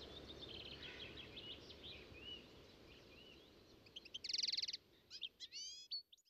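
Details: European goldfinch song: faint, rapid twittering in the first half over steady background hiss, then louder notes including a dense buzzy burst and several quick sweeping whistled phrases near the end.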